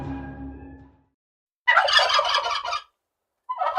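A turkey gives a loud, rapid, rattling gobble lasting about a second, then starts another; a low murmur is heard at the start.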